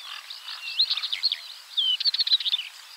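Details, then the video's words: Northern wheatear song, a hurried scratchy medley of crackling notes and short thin whistles, with a fast rattling burst toward the end. "Northern wheatear call and song / Białorzytka"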